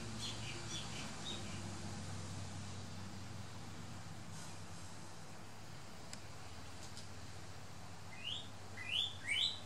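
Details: A male Northern Cardinal in a garden on the Big Island gives three quick, bright slurred whistles near the end, over a steady low rumble that fades early on.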